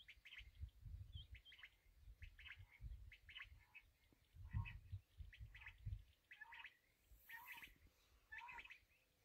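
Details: Kala teetar, the black francolin, calling in a long series of grating, buzzy notes, some doubled with a lower tone, repeated about every half to one second over heavy low-frequency rumble.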